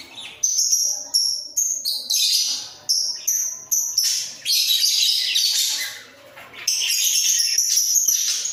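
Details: Pair of budgerigars in a breeding enclosure bob their heads while singing a run of short, clear whistled chirps, roughly two per second, mixed with longer scratchy warbling passages.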